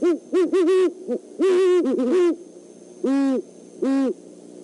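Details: A great horned owl pair, male and female, at the Decorah eagle nest on an overnight visit, 12-17-14: a burst of quick, loud, deep hoots in two clusters, then two longer, drawn-out hoots spaced under a second apart.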